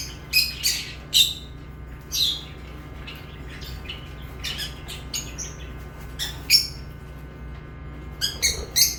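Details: Lovebirds giving brief high chirps and squeaky notes spaced irregularly, with quieter gaps between bursts and a low steady hum beneath.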